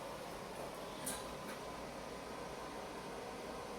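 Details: A steady, even hiss like a fan or air conditioner fills the room, broken only by one brief faint click.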